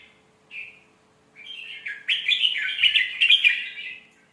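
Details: Red-whiskered bulbul with beautiful phrasing, played for young birds to copy: a single opening note, a pause, then a sustained rich stream of warbled, slurred chirps that rises in loudness.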